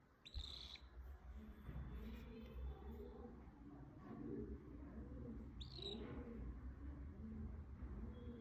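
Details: A relaxing cockatiel gives two brief, bright whistled calls several seconds apart over a low indoor hum.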